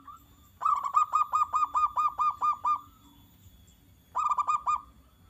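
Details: Zebra dove (perkutut) song intended to trigger replies from other doves: a steady run of about ten ringing coos at an even pace, a short pause, then a quicker burst of about five notes.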